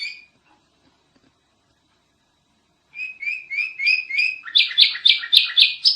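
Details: Sooty-headed bulbul in a noisy training recording: after near silence, a run of sliding whistled notes speeds into a louder, rapid burst of harsh buzzy chatter.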